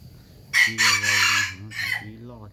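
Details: Rooster crowing loudly in a harsh, buzzy, drawn-out phrase broken into three bursts with a short tail, over low voices in the background.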